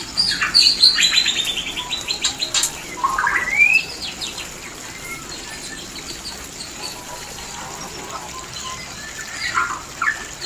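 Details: White-rumped shama mating call for bringing birds into breeding condition: a bright descending trill and a rising whistled sweep in the first seconds, then a long near-silent stretch with faint notes at the end.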